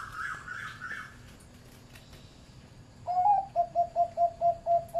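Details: A higher, buzzy call sounds briefly first, then a zebra dove with a medium-pitched voice, bred on a farm, breaks into a steady run of about nine short, clear, bouncing coo notes.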